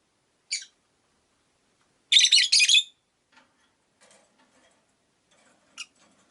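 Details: Caged rosy-faced lovebirds, five by a window, chirping: a short note, a loud rasping triple burst, scattered faint ticks and rustles, then a brief sharp chirp near the end.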